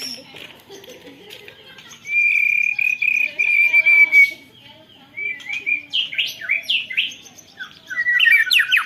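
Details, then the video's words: White-rumped shama singing canary-imitation material in a long rolling song, recorded on a phone: a sustained buzzy trill held about two seconds, then quick varied whistled sweeps and chattering phrases. "Burung murai batu isian kenari full ngeroll panjang"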